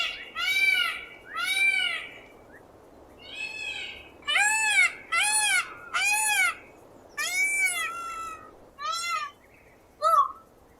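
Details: Indian peafowl screeching: loud, nasal, wailing cries with rising-then-falling tone, given singly or in pairs with pauses of about a second, ending with a shorter clipped note.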